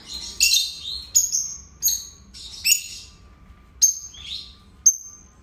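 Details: Two pet lovebirds kept together, calling to stimulate other lovebirds: sharp, shrill high chirps and squeaky notes in short bursts roughly every second, some sliding downward, with a faint low hum underneath.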